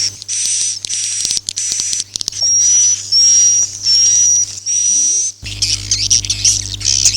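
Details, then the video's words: Swiftlet call of the Akau ngaji type: a run of quick high chirps, then long level whistled notes held about a second each with short gaps, before busy twittering resumes; a low steady hum underneath. "suara walet Akau ngaji Original"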